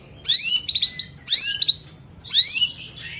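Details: Long-tailed shrike singing mewah 'isian' material for tutoring songbirds: shrill downslurred squeals followed by short clipped chirps, repeated three times roughly a second apart.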